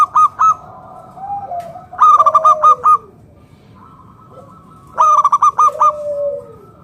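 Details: Local zebra dove, a keen singer, used to lure other doves into calling: bursts of five or six rapid, ringing staccato coos repeated about every three seconds, with softer drawn-out lower cooing between bursts.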